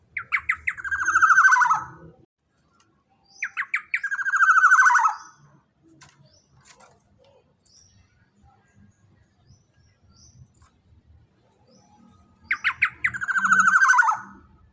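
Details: A large, loud-voiced Black-naped oriole calls as a lure for tutoring birds. It gives three loud rasping phrases, each opening with a few sharp notes, then a long buzzy descending trill. Quiet faint murmurs fill the pauses between them.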